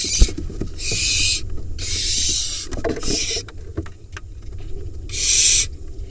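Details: Barn owl chick in an Israeli nest box, Hula Valley, harassing the father after a mouse drop; several harsh hissing bursts of uneven length amid thumps, scuffling and shuffling noises from the birds moving.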